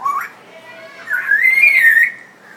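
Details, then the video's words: African grey parrot after bathing, in Dhaka, Bangladesh, giving a long clear whistle that climbs and wavers before settling, preceded by a brief rising note. "African Grey Parrot Talking after bath"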